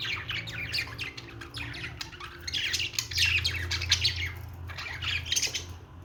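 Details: Singing budgerigar, an Australian parrot: a long stream of rapid chirps, rasps and clicking notes, growing denser and louder midway, with a steady low hum behind it.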